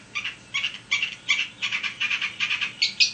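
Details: Long-tailed shrike in full continuous song, used as a lure to provoke another shrike to sing: short bursts of high, scratchy chattering notes repeated about every half second over a faint background hiss.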